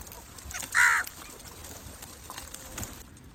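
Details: One short, harsh crow caw near the start, then only low outdoor background noise; a call used to attract crows.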